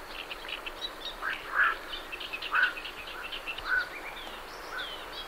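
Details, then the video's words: Night herons calling as they leave their roost, short harsh croaks roughly once a second, mixed with a busy background of chattering great reed warbler song. "Night Heron Calls / Night Heron. Calls MCU From Birds Leaving Roost"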